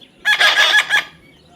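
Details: Parrot speaking one rough, broadband, word-like phrase of several quick pulsing syllables, lasting under a second, with a quiet room background.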